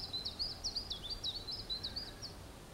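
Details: Nightingale singing for his beloved: a rapid run of high, sweet repeated notes, each quick upward-and-down flick, delivered steadily for over two seconds before stopping, over a faint low background hiss.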